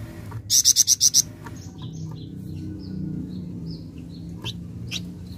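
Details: Flameback playback recording, said to draw an immediate reply: one fast burst of six sharp, high, evenly spaced notes lasting under a second, followed by faint scattered chirps of other birds over low background hum.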